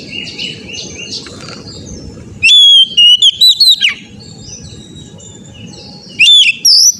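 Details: Oriental magpie-robin song played as therapy so an untrained young bird quickly learns to sing often and loudly: low hum, then bursts of loud, clear whistles sweeping up and down with quick chirps, a pause, and another burst.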